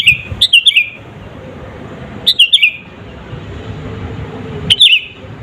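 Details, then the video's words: Singing sooty-headed bulbul in a pure lure recording meant to provoke rivals: lively bursts of four to five quick liquid notes stepping downward, about two seconds apart, with a low murmur behind. "SUARA BURUNG KUTILANG GACOR ASLI TAMPA ISIAN..,!!!pancinga kutilang bikin lawan emosi..."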